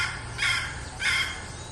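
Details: Female red junglefowl decoy hen uttering two short, hoarse clucking notes spaced about half a second apart against a constant low background hum.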